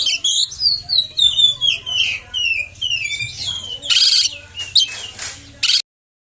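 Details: Oriental magpie-robin song played to stir rival magpie-robins: a fast run of falling whistled slurs, then harsh grating bursts and sharp notes before abruptly stopping, low hum underneath.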